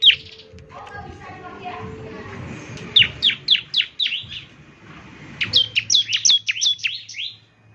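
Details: Bar-winged Prinia, known as ciblek, in semi-gacor song for morning playback to prompt answers; low murmuring noise at first, then two clusters of bright, downslurred high notes.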